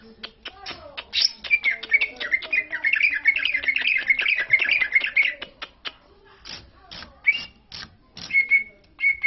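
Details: Green leafbird from Lombok, sung to lure other leafbirds to answer: a dense burst of rapid chattering whistles with ticking clicks, easing into scattered clicks and a few clear whistled slurs near the end.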